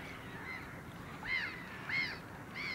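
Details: Caspian gull, a single individual recorded on 9 March 2016, giving three loud, harmonic, arched cries that rise and fall, spaced about half a second apart, over steady low background rumble.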